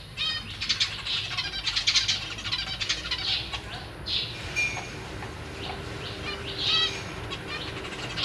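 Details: Caged zebra finches, a pair with three juveniles and three newly hatched young, recorded 1 May 2023 while the parents feed the chicks. Dense overlapping high, harmonic chirps come in quick bursts over a steady low hum.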